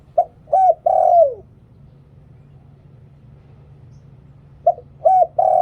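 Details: Spotted dove decoy singing the หลิ่วตัน style used to lure wild doves. One full three-part coo phrase ending in a downward slide, a quiet gap of about three seconds, then the next phrase begins.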